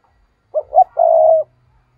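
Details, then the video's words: Spotted dove kept as a decoy to provoke and lure wild birds, giving one clear three-part coo: two short rising notes followed by a longer, steady, hoarse drawn-out coo, in a quiet setting. "Chim cu gáy mồi chuẩn thúc kích bổi nhanh nổi hiệu quả ll Chim cu mồi"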